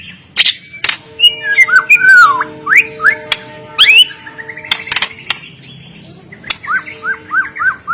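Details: White-rumped shama (murai batu) from Medan, a fighter-style singer used to stir lazy birds into song: varied whistled phrases with down-slurred and up-swept notes, sharp clicks, and a repeated series of rising notes near the end, over a faint hum.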